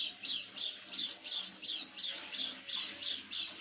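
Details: White-eye kept as a pet, calling in the evening before nightfall: a steady series of about ten scratchy, buzzing notes repeated rapidly at an even pace.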